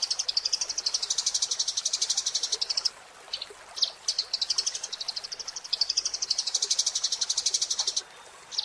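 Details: Eurasian tree sparrow song used to train cage birds: repeated high chattering trills, about four notes a second, broken by short gaps with a few sharp chirps, over faint background hiss.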